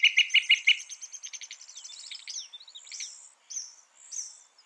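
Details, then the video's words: Northern mockingbird song: a quick burst of buzzy repeated notes fades into softer high chatter and thin whistled slurs. "Masteran Burung Kicau Mockingbird Gacor - Mockingbird Bird Sound"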